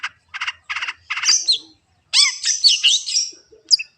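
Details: Long-tailed shrike singing in a varied, mimic-like run: harsh rattled bursts repeated four times, then a dense jumble of high whistles, slurred squeaks and buzzy notes, ending with sharp high chips.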